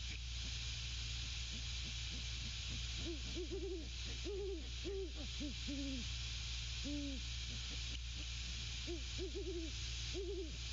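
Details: Great Horned Owl male and female at the nest hooting to one another: repeated groups of low, arched hoots with short gaps, a lone hoot midway, continuous hiss underneath.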